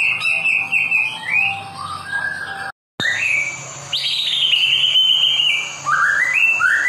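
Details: White-rumped shama singing to stimulate caged birds: trilled whistles and rising slurs, interrupted by a brief cut of silence, then a long bright descending whistle and upward-sliding notes.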